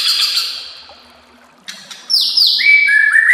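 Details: White-rumped shama song for training songbirds: a long buzzy trill fading out, a short gap, then bright downslurred whistles and a sustained clear whistled note.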